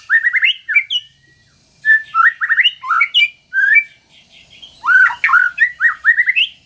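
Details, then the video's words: Vigorous white-rumped shama song used for training and for coaxing silent birds: groups of rich whistles and harsh, squawky notes in phrases about a second long, with short pauses between. "MASTERAN MURAI BATU GACOR - TERAPI MURAI BATU MACET BUNYI"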